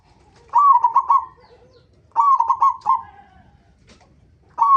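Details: Local zebra dove calling as a lure for other zebra doves: two loud phrases of fast, choppy cooing notes with quiet low murmurs between, and a new phrase beginning at the close.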